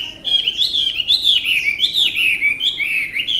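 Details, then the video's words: Tame Chinese hwamei singing a loud, continuous run of rich whistled phrases that rise and fall, varied and fluid, with no other sounds. "họa mi ccdv1121 thuần đẹp giọng hay quá"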